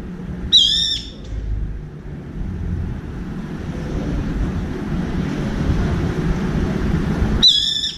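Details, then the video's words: Brown-eared bulbul calling for a companion from a window feeder: two short, harsh screeches about seven seconds apart, separated by steady low rumbling noise. "직박구리 친구찾는 삐이이익 울음소리"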